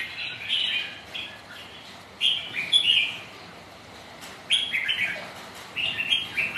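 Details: Red-whiskered bulbuls sparring on a stormy, rainy day: a fluty phrase at the start, then quiet, then clusters of sharp, bright whistled notes answering in bursts.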